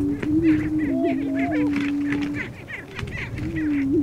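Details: Displaying lesser prairie chicken roosters in the Flint Hills, Kansas, booming as part of their courtship before a hen: a low sustained droning hoot with quick pitch wobbles, overlaid by repeated short cackles.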